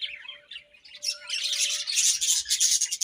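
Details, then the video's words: Budgerigars chattering in the morning. Quick high twitters and buzzy warbles grow into a loud, busy chorus, with a faint steady hum in the background during the first two seconds. "𝑩𝒖𝒅𝒈𝒊𝒆𝒔 𝑪𝒉𝒊𝒓𝒑𝒊𝒏𝒈 𝑺𝒐𝒖𝒏𝒅𝒔 𝑰𝒏 𝑻𝒉𝒆 𝑴𝒐𝒓𝒏𝒊𝒏𝒈"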